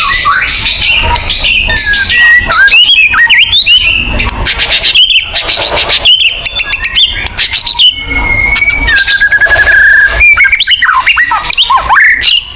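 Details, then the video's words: Continuous white-rumped shama song for prompting pet birds to sing: loud, varied whistles, rapid buzzy trills and quick slurred notes in an energetic, unbroken stream. "pancingan burung murai batu agar bunyi"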